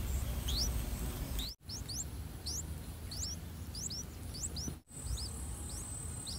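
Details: Begging of three-day-old streak-eared bulbul chicks in a water jasmine tree nest near a house while both parents feed them: thin rising squeaks in quick pairs and runs, with two brief dropouts and a faint steady high tone late on.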